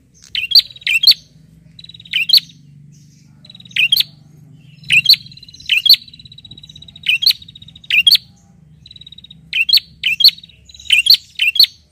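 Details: A bar-winged prinia calls insistently toward a rival: a dense series of loud, clipped chirps, often paired, with thin, high rattling trills between them.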